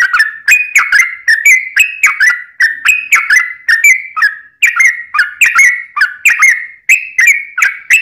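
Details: A sooty-headed bulbul pours out a long nonstop song to coax other bulbuls to sing: bright, chattering whistles tumbling rapidly, each note starting with a crisp tick and wavering downward.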